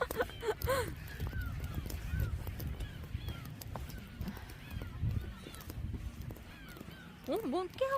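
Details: Gull flock at Dolmeori beach, Hampyeong, Korea, on a cold day after rain stopped, with the beach closed for the season: scattered arching mewing calls, two louder harsh cries near the end, people talking and low wind rumble.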